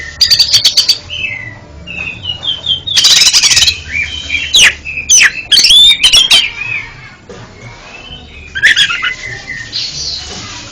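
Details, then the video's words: Oriental magpie-robin singing, used to train a kept bird that stutters: quick buzzy trills open, then varied whistled slurs and harsh bursts follow in an uneven stream. "MANTAB BUAT TERAPI KACER ANDA YANG GAGAP BUNYI JADI JOSS KICAUANNYA"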